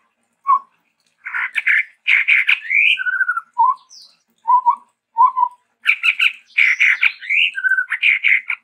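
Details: Varied song of a chestnut-rumped babbler (tepus tunggir merah), named as endemic to Sumatra: dense raspy chatter mixed with short clear whistled slurs and low hollow notes, building to a long run of buzzy phrases.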